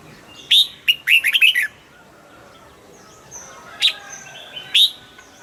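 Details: Caged red-whiskered bulbul singing, meant to rouse other birds: loud bright warbled notes around high pitch, a quick bubbling phrase near the start, then isolated sharp whistles later, faint distant chirps behind.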